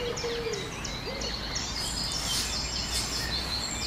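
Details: Barnacle goose family with six goslings in Heemskerk, the Netherlands: thin, high peeping notes, some rising and some falling, repeated rapidly and irregularly over heavy steady background noise, with a few lower short notes early on.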